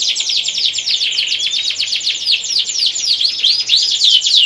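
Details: Breeding-stimulation song of a domestic canary, 'gacor ngerek' style, played to bring hens and young males into condition: fast dense trill of repeated chirps, about four per second, then a series of arching whistled notes near the end.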